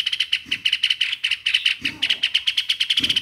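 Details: Streak-eared bulbul giving a fast, steady run of sharp, high chipping notes, about eight a second, with a few soft low thuds behind.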